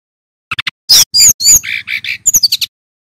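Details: Male brown-chested jungle flycatcher in loud song: three quick clicks, strong high whistles, a series of lower buzzy notes, then a rapid run of falling chips.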